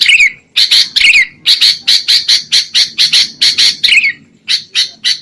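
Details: Sooty-headed bulbul, recorded to lure birds into traps: steady series of harsh buzzy notes at an even pace, with a few downslurred notes mixed in.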